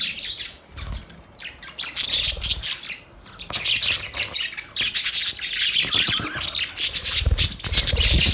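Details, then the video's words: Budgerigars in lively chatter: a quieter opening, then a steady stream of scratchy chirps, squawks and warbled notes, with occasional low knocks underneath. "Budgies chirping sounds"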